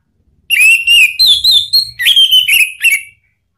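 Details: Orange-headed thrush singing a lure song to prompt a caged bird to answer: a loud, continuous string of about eight clear whistled notes, each slurred and slightly wavering, some rising then falling, delivered quickly for nearly three seconds.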